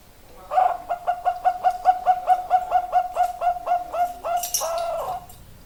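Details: Zebra dove (perkutut) in full song: a quick, even series of about sixteen short staccato coos at one mid pitch, ending in a brief harsher burst.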